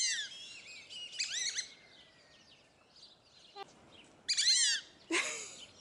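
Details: Fulvous whistling ducks (Dendrocygna bicolor), a sociable captive flock at Upie Zoo, Drôme, France, giving bursts of high, arched, squealing whistles at the start, mid-clip and near the end, with quieter gaps between.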